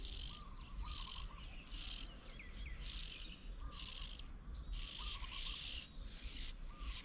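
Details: Oriental magpie-robins tending young at a fruit-laden bird table near Chiang Mai, Thailand, 8 June 2022; a rapid run of harsh sizzling high bursts, one drawn out longer, with soft low cooing phrases underneath.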